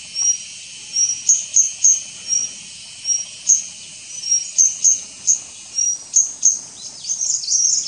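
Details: White-gorgeted Flycatcher of subspecies leucops calling at Doi Ang Khang, Thailand, on 24 March 2017: thin, very high whistled notes and sharp ticks in loose series, with a steady high insect drone beneath.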